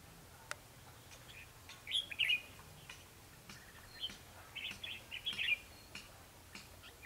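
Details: Bulbul fighting song used for trapping, recorded 21 December 2015: several clipped, chirpy whistled phrases spread across seven seconds, louder at first, then a looser run of shorter notes over light background hiss.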